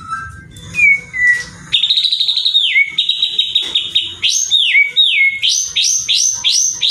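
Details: White-rumped shama song played to stir other shamas into singing: low whistled notes, then a buzzy trill followed by a run of repeated rising sweeps ending in held tones.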